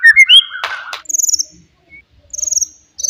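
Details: Forest white-rumped shama giving loud song meant to provoke rivals: rising whistled notes near the start, a brief noisy burst, then rapid high trilled buzzes repeated in short bursts with pauses between.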